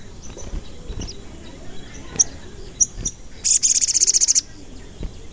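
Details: Crimson sunbird (sogon), an energetic singer used as a lure for other sogon: faint high chirps, a couple of sharper notes, then a loud, very fast pulsed trill lasting about a second.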